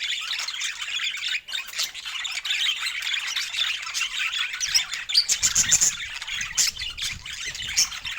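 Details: Pet budgerigars in Scandinavian natural light, happy over fresh food, produce bright twittering chirps and chattering warbles that grow busier toward the end, with a few low rustling thuds.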